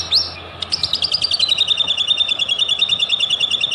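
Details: White-rumped shama song used as a lure to provoke other shamas into singing: a brief high opening note, then a fast, steady trill of sharp high notes that eases slightly downward in pitch.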